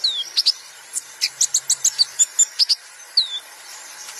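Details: Sunbird song used as a training recording for other songbirds: very high, thin chirps and short slurred notes, about a dozen quick pulses in an uneven run, with a faint high insect-like hiss behind.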